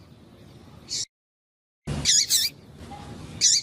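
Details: Female Double-collared Seedeater calling insistently to warm up a silent male. Short high squeaky notes with a lower curling undertone, one alone, then a quick pair, then another single note, with a brief gap of silence.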